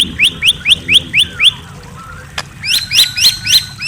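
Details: Night-time white-rumped shama giving clear, upward-flicked chirps about four per second, a pause with soft slurred notes, then another bright run of repeated chirps.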